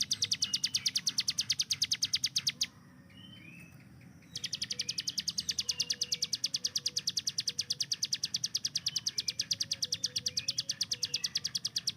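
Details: Hill prinia kept as a master bird, firing its rapid 'tembakan' song. Long runs of fast, sharp, high ticks break off for a short pause, then resume at the same brisk pace. Soft chirps from other birds.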